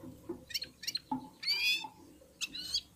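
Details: Red-fronted serins singing in unison while warming up, with other birds present; buzzy, harmonic chattering notes and a longer rasping trill, interspersed with short lower chirps.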